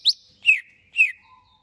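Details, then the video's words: Greater green leafbird prepared for a song contest gives three loud, clean, high whistled notes, each sliding downward, about half a second apart, ending with a thin lower trailing note. "Cucak HIJAU siap diajak LOMBA"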